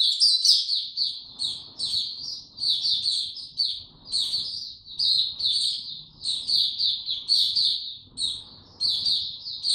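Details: High, sweet twittering from a caged white-eye: phrases of rapid chirps separated by short gaps every second or two, with occasional piercing upward squeaks riding above the steady warble.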